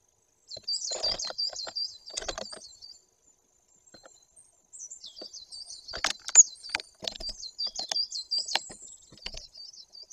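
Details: Great tit, Bory Tucholskie, Poland, 2 September 2022: two spells of rapid, high, hooked chattering notes separated by a brief pause, with clicks and taps mixed in.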